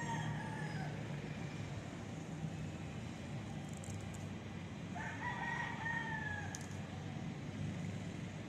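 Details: Rooster crowing, recorded on an ASUS Zenfone 2 Laser phone: a drawn-out, strained cock-a-doodle-doo rises and then falls midway through, with a partial crow at the start. A steady low rumble of traffic or engine noise runs throughout.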